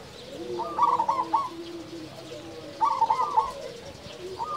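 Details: Local-strain zebra dove, kept as a loud, frequent singer to provoke other doves; short quavering coo phrases with a stuttering trill, about two seconds apart, over softer lower cooing.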